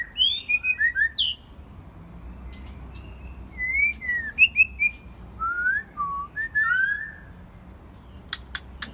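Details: A white-rumped shama in its first molt sings rich, varied whistled phrases on a quiet evening, sliding up and down with a few sharp high notes between short pauses, over a faint low hum.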